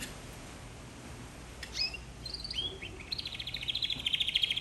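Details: Canary song starting after a quiet pause with sliding whistled notes, then settling into a rapid, steady high trill that grows louder toward the end.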